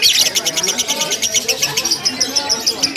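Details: A lovebird's ngekek during a simulated contest, a long chattering run without breaks: quick, bright, scratchy notes repeated steadily, beginning loudest and continuing evenly, with soft low sounds in the background.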